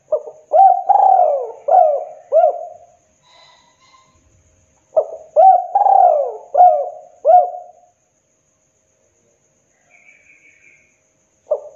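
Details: Indonesian spotted dove in KUK 2 master song, played for training and luring birds: soft hooting coos in two phrases of about five notes each, one longer swooping coo inside each, a brief high chirp later and a single coo closing.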